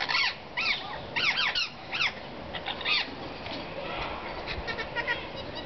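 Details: Wild rose-ringed parakeets chattering at a porch, drawn daily by a caged chick that fell from one of their nests; loud arched squawks in quick clusters early on, then softer overlapping chatter.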